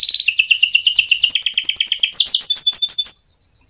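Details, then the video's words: Canary in full 'gacor' form delivering a long rolling ('ngerol') song, used as a lure to set other canaries singing; rapid high trills in steady tours, stepping up to a higher, sharper trill before stopping abruptly after three seconds. "Masteran Suara Burung Kenari Gacor Panjang cuit cuit Ngerol untuk Pancingan Kenari"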